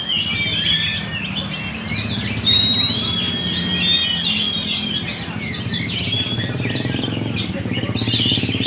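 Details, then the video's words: At Banjar Indah a magpie-robin sings in gacor style, delivering bright piercing whistled notes and rapid twittering flourishes without pause, while a low droning hum runs underneath. "Burung murai Gacor di Banjar indah"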